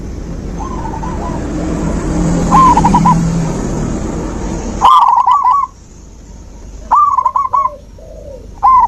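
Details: Zebra dove singing to encourage a silent dove: faint rolling coo phrases over hissing background noise, then louder, clearer bursts of quick trilled coo notes.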